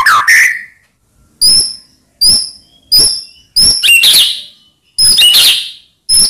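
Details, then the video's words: White-rumped shama song played to provoke rival birds into answering: short loud bursts of high chirps and upslurred whistles, separated by brief silences, with no other sounds. "Ampuh Buat Murai Lain Terpancing Emosi Seketika Insyallah Langsung Nyaut"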